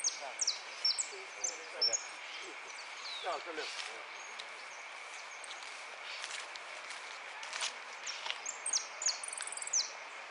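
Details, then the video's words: European goldfinch at a singing contest, in the Amarillo de Repique category, dated 03 02 13: high, thin chirps and short twittered phrases in scattered bursts over steady background noise, with a faint human voice. "Participo en Amarillo de Repique Concurso Piran"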